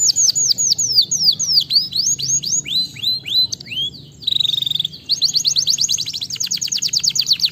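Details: Canary song meant to stimulate lazy canaries into singing, moving from repeated falling slurred whistles to a brief steady tone, then a rapid high trill of evenly spaced notes.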